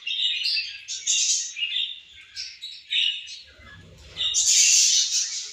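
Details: Warbling, squeaky chirps from pet budgerigars feeding and playing come in short rapid phrases, followed by a soft rustle and a loud, dense, high scratchy chatter toward the end.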